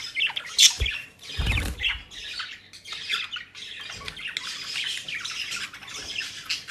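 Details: Pet budgerigars in the Netherlands feeding on dry leaves and grass; continuous murmured warbling chatter with one loud squawk early on and a rustling thump of activity.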